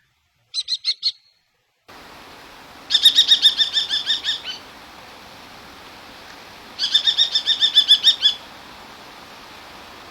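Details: Common kestrel hunting call, given while hovering: a brief burst of notes, then two loud runs of rapid, shrill, repeated kee-kee notes, each lasting about a second and a half, over steady background hiss.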